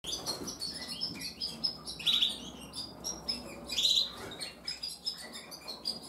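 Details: Gloster Fancy canary breeding pair during breeding behaviour: short high chirps and tweets, scattered and irregular, with brighter bursts near two and four seconds, faint rustling underneath.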